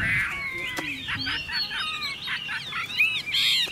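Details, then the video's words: Captive Chinese hwamei offered by a Vietnamese seller: a brief stretch of sweeping, slurred whistles and wavering rich notes, fairly loud and continuous, with a faint low sound in the background. "Họa mi chuẩn mẫu chim hót - Hót hay dáng đẹp"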